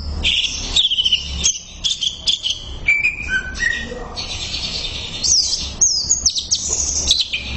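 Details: Greater green leafbird song meant to train other birds: chattering chirps, clear whistled notes dropping in pitch, then fast high slurred phrases.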